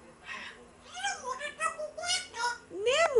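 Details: Pet African grey parrot giving a string of bending, harmonic whistled notes, some rising and falling like speech-like chatter, ending in a louder upward-sweeping whistle.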